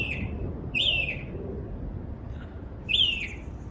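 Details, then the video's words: Backyard bird twittering: two bright, sharply arched whistles a couple of seconds apart, each sliding downward at the end, with a faint low hum underneath. "A bird twitterings more than 20 different sounds in my backyard."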